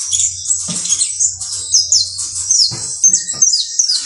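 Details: Shrill, crowded twittering from a saffron finch, called canario basto criollo, with high notes slurring down, a few sharper clicks and short bursts, and a low steady hum in the background.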